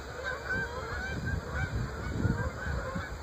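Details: Migrating Canada geese flocks form up over the Great Smoky Mountains in early October 2014, heading south, honking loudly: nasal, overlapping honks repeated rapidly in a steady chorus over a low rumble of background noise.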